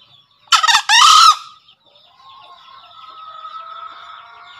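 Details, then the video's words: Two-part crow of a green junglefowl, a brief rasping syllable followed by a longer harsh note, then soft steady twittering of small birds for several seconds; kept as a master call for freshly caught or silent captive birds. "Suara Masteran HARIAN Kelangenan Ayam Hutan Hijau Istimewa"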